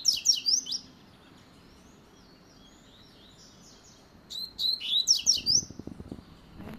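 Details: A double-collared seedeater gives two quick bursts of high, twittering song with slurred whistles, split by a pause of a few seconds; a faint low rumble comes near the end.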